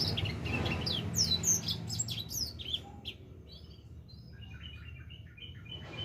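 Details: Young edel sanger finch of four months beginning to sing: a quick run of high sweeping chirps, then softer short repeated notes trailing off quietly.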